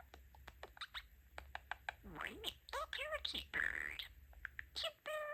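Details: Pet male budgerigar talking, combining learned phrases such as "Super!" and "Sweetie-pie!": rapid, raspy, speech-like chatter with clicks and harmonic warbles in short bursts, some parts sounding like squeaky human words, in a quiet room.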